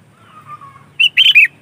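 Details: Sooty-headed bulbul, sound used to attract its own kind: a faint, thin level whistle first, then a loud, quick three-part bubbly whistled phrase, slightly falling at the end.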